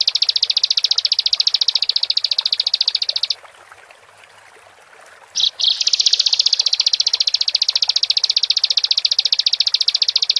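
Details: Bar-winged prinia singing to provoke other prinias into song: a long, rapid, buzzy trill of high pulses, breaking off for about two seconds before resuming, with a faint stream-like background.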